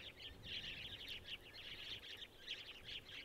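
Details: Several Masked Woodswallows at Gluepot Reserve, South Australia, on October 15, 2023, give a steady stream of scratchy, overlapping chirps and chatters over a faint low background rumble.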